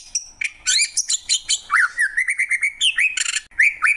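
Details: Greater green leafbird (cucak ijo): opening harsh, buzzy chatter gives way to a run of rhythmic whistled chirps and a final scratchy burst and upslurred whistles.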